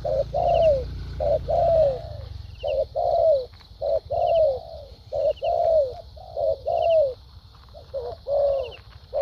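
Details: Spotted dove decoy, thúc gù and lèo dặm cooing: a running series of low coos, short notes paired with long falling ones, with a low rumble at the start and a high buzz throughout.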